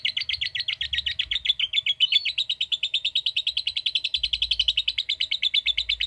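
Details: Long ngekek trill from a lovebird, an unbroken stream of rapid, buzzy chirping notes held at an even pitch and pace for the full six seconds.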